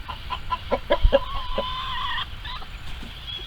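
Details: Chickens in a farm coop, said to scream while trying to lay eggs, give a string of short clucks, then a long drawn-out squawk held about a second, with more hens clucking and chattering behind.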